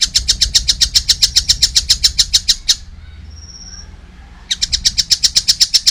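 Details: Young collared kingfisher calling vigorously, a rapid series of harsh, buzzy notes repeated about four times a second, broken by a pause of nearly two seconds before the series resumes.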